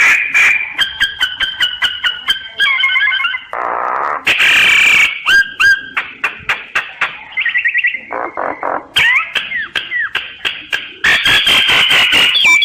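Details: Common myna (sáo nghệ) singing a varied, fast run of clear whistles, rising and falling slurs, buzzy harsh bursts and rapid clicking notes, with short pauses between phrases. Captured with a phone recorder app.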